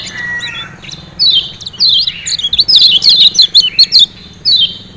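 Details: A Lombok Lemon-bellied white-eye gives a lively run of high, thin chirps and twittering notes in quick bursts, then one last chirp after a short pause.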